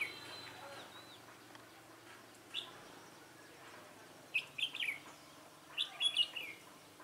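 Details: Red-whiskered bulbul at a trapping site with a decoy bird, 24 March 2018. A faint early note is followed by two quick bubbly whistled phrases about a second and a half apart, over steady low background hum.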